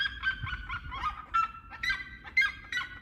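Seriemas give a loud, harsh yelping chorus, a rapid series of barking, honk-like notes repeated several times a second with a slight rising quality.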